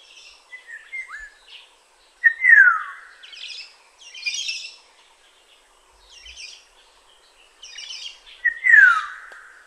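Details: Black-naped oriole recorded in Tainan City, Taiwan, 21 June 2017, giving mellow downslurred fluty whistles several seconds apart, mixed with brief higher buzzy notes and twitters from other birds nearby.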